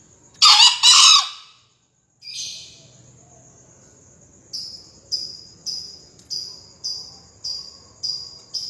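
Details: A green junglefowl, recorded for a 2020 crowing competition, gives a sharp, raspy two-syllable crow, then a soft pause before a steady series of high, evenly spaced chirps from another bird.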